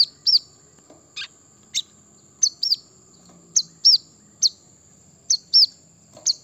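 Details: Brown-throated sunbird song played to provoke birds into singing: sharp, high, upswept chirps, often in quick pairs, spaced about half a second to a second apart, with a faint steady high hiss behind.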